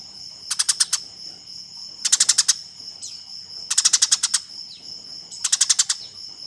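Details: Eurasian tree sparrow in a fight, used to train competition birds: four short bursts of quick harsh chirps about every one and a half seconds, with a thin steady whine and faint sliding notes between.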